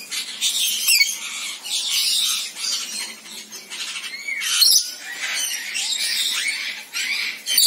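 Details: Rainbow lorikeets calling, a dense mix of harsh, screechy squawks and shrill chattering notes, several birds overlapping almost continuously, with a few short rising and falling whistled slurs.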